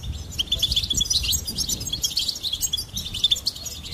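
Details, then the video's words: Goldfinch singing a fast, bright twittering song of high tinkling notes and short trills, with repeated clear chirps running almost without pause across the clip over a faint low rumble. "Goldfinch Singing and Song Compilation"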